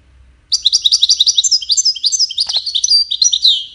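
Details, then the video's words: Goldfinch singing its song, used in courtship and communication: after half a second of quiet, a rapid, unbroken stream of high, bright twittering notes and short trills runs on to the end, with no other sounds. "Witness the Majestic Goldfinch Singing"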